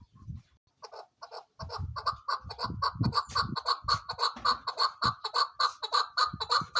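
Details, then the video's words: Female chukar partridge call: repeated clucking notes starting slow and speeding up into a rapid, regular chatter over low background rumble. "keklik sesi chakor birds shikari chakor awaz sound voice"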